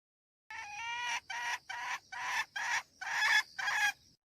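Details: Hen kept as a decoy, calling to attract and excite a rooster: seven rough, nasal cackling notes in steady succession, each about a third of a second long, evenly spaced.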